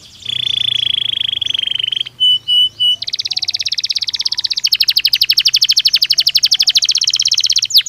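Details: Belgian canary training stimulus song: a sustained buzzy rolling trill, three short pure whistled tones, then a fast broad trill of repeated notes continuing to the end, with faint low hum underneath.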